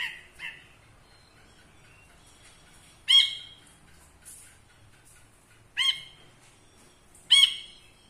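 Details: A caged ashy bulbul tutor bird gives scattered harsh, nasal squawks, with a softer pair early on, then three loud calls spaced a few seconds apart, over faint background noise and hiss.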